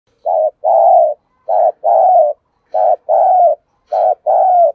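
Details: Spotted dove used as a caged decoy, cooing to lure wild doves: four paired phrases, each a short low coo followed by a longer, slightly falling hoarse coo, repeated about every 1.2 seconds in an otherwise quiet background.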